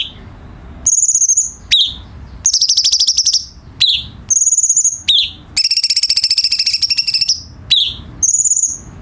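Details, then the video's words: Cucak cungkok bulbul used to tutor captive songbirds: high ringing trills, harsh rattling bursts and repeated slurred chirps, forming a busy, varied sequence. "KICAU BURUNG CUCAK CUNGKOK , SI GURU VOKAL"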